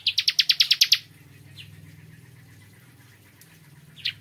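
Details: Bar-winged prinia singing in the morning: a fast run of about eight sharp, high chirps in one second, then a lone chip and a later single note, with a low steady hum beneath.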